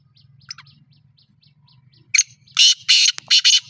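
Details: Black francolin (Francolinus francolinus, kala or dakhni teetar) in Pakistan gives its natural call: soft ticking and a faint low hum, then a loud, harsh, grating call of four or five rasping notes in quick succession.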